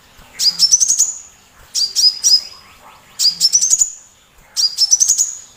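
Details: Sunbird singing loudly, used as training song to stir other songbirds, including the magpie robin, to sing: four quick bursts of thin, high ticking notes, each phrase rising and trilling, separated by short gaps.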